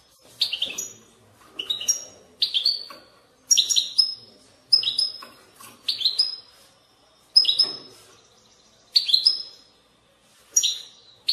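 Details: European goldfinch giving a babbling song used for prompting goldfinches to sing: about ten short, separate phrases of bright, rapid twittering notes, roughly one every second, each ending in a clear whistled slur, quiet room background.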